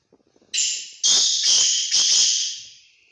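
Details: Full-size Sindhi teetar, a grey francolin, calling: three loud, harsh, high screeching notes in quick succession, each about half a second long, the last fading out slowly, preceded by faint soft clicks.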